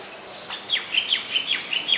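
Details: White-vented myna recorded in Ubon Ratchathani, Thailand, on 17 July 2020: a quick run of seven short, sharp, high chirps with falling tails, spaced roughly every quarter second. Faint background hiss.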